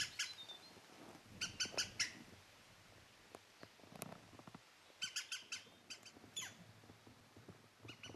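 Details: European green woodpecker giving short bursts of harsh, ringing laughing notes in several separate groups, with soft knocks and rustling between the bursts.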